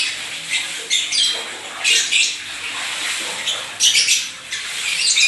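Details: Caged pet lovebird in Indonesia, said to be in lively full voice; scratchy, high-pitched squawks and chirps come in uneven bursts, some sharp and loud, with quieter gaps between.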